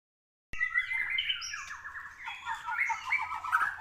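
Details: Caged white-rumped shama singing at a training track, described as still lacking emotion: a continuous, rich run of varied whistles, chattering trills and buzzy phrases, starting abruptly after brief silence.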